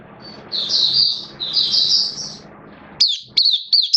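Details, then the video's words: Caged oriental white-eye, recorded in September 2022: two long, dense, buzzy high warbles, then three short, sharp, high chirps with silence between them. "Mata Puteh Kitaro Buka Sing"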